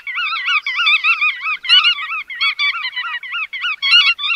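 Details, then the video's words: Dense overlapping bar-tailed godwit calls, harsh wavering nasal notes pulsing a few times per second with no real pause. "Tiếng Chim Choắt Đuôi Vằn"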